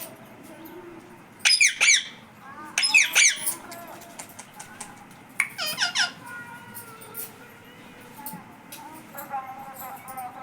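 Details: Parrot talking and saying "Mummy": three loud, harsh, squawk-like bursts with stacked harmonics come at about 1.5, 3 and 5.5 seconds, followed by softer chattering notes and quiet room background.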